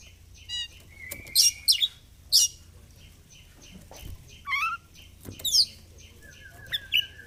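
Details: Oriental magpie-robin singing in fighter style while displaying (ngobra), a recording used to encourage birds reluctant to sing: long flat whistles alternating with loud buzzy bursts and rattling trills, spaced by short pauses.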